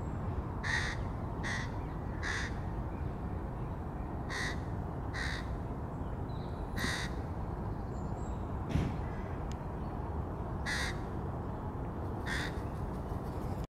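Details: Crow feeding its young: irregular bursts of harsh caws, about eleven over the stretch, some in quick pairs and others after longer pauses, with a steady low rumble behind.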